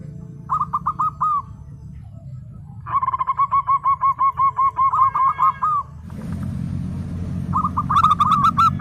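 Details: Zebra dove, a local bird in full voice, gives a short burst of clipped coos and then a long rhythmic string of repeated notes. After a brief pause another quick run begins, over a steady low rumble.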